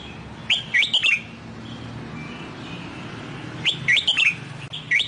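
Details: Red-whiskered bulbul, a recently bought wild-caught bird trained to sing in Sông Kon style, producing two bright whistled phrases of rapid warbling notes separated by a few seconds of low hum.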